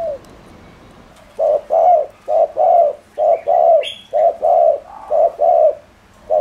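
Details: Spotted dove cooing to goad other doves, soft at first, then loud paired hollow coos, short note then longer one, with a brief higher chirp from another bird in between.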